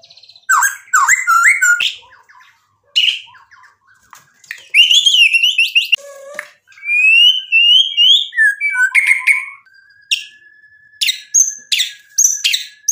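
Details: Gacor white-rumped shama singing a varied medley of sharp whistles, slurred notes, rapid trills and clicks in bursts with short pauses, used as a lure to provoke other shamas into full song.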